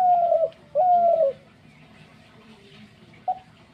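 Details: Two long, low dove coos sagging slightly downward, a quiet gap, then short clipped coo notes at the end.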